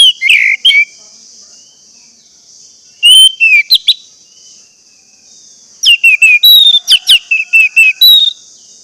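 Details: Lure song of the Orange-headed thrush, played so caged birds start singing: a short burst, a pause, then longer runs of quick whistled and chipping notes in rapid succession, backed by a steady shrill hiss.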